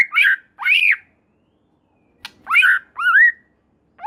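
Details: White-rumped shama singing loud, rich whistled notes that rise and fall, delivered in pairs with a gap between; a song claimed to get other shamas singing along.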